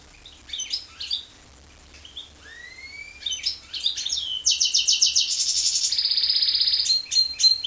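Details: Goldfinch × canary hybrid song: twittering chirps and two long rising slurred whistles, followed by a sustained rapid rolling trill and a steady buzzy note before closing chirps.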